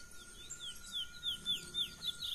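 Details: Brown (pardo) Chestnut-bellied seed finch singing in the wild, its wild mateiro song style: a quick series of about seven clear, high, downslurred whistled notes, evenly spaced, over a steady faint background hum.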